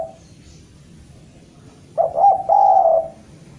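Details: Spotted dove from Java calling to a rival, with the tail of a coo at the start, then a full phrase of stuttered short notes and a drawn-out, grainy coo after a quiet gap.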